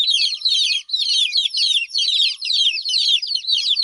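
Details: Baby chickens calling with the mother hen absent: loud, high, piercing peeps from several chicks, coming in overlapping bursts a little under half a second apart.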